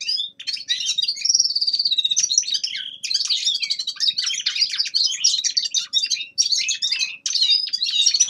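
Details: Young male common linnet giving its winter warm-up song: a continuous, rapid twittering of high, varied chirps, trills and short whistled notes, with a brief clear whistled phrase near the start and barely a pause throughout.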